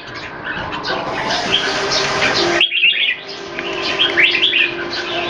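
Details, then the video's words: Singapore caged red-whiskered bulbuls, a molting bird among several singing rivals; rushing noise fills the first half, then a brief pause and a few quick, clear whistled warbles. "นกหัวจุก JAMBUL"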